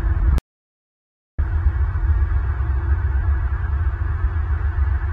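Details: A low, throbbing electronic hum plays, cut by a second of total silence near the start, with no animal sounds.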